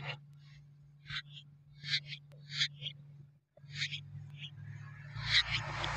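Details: Young sooty-headed bulbul, called kutilang, uttering a series of short, rasping, scratchy calls about every two-thirds of a second, with a low steady hum beneath and a burst of broad hiss near the end.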